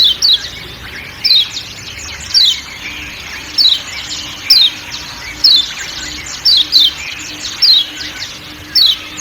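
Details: Lombok white-eye (kecial kuning) 'ciak ciak' calls set over forest ambience: piercing falling chirps, single or doubled, recurring about every second, with a low constant drone.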